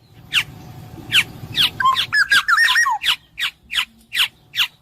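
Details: Black-naped oriole: harsh descending notes, then a quick run of liquid wavering whistles, then a steady string of about six nasal downslurred notes.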